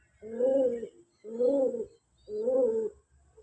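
A pigeon gives three low, throaty coos about one second apart, each a soft rolling burble with a slight rise in the middle.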